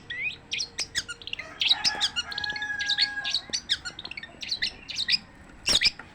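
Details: Unbroken long-tailed shrike song mixing harsh squawky notes, high chips and a few drawn-out tones, fast and varied throughout.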